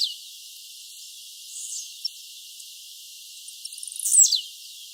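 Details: Free-living blue-black grassquit in nature giving one sudden, high-pitched buzzy burst near the end, sliding steeply down, after several seconds of quiet hiss and a few faint ticks.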